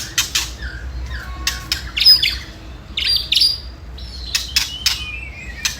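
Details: White-rumped shama ketrekan song, played to provoke rival birds into fighting: mostly dense, rapid clicking rattles in repeated bursts, with brief high thin whistles and a few descending slurred notes between them.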